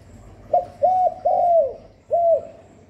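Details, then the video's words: Spotted dove giving its lure call for stimulating doves; a short note, two held mellow coos, the second sagging downward, a brief pause, then a single arched coo, in a quiet setting. "Tiếng Cu Gáy GọI, Cu Thúc, Cu Gù liên tục không tạp âm, kích bổi hiệu quả, Tiếng cu đất gáy, Cu cườm"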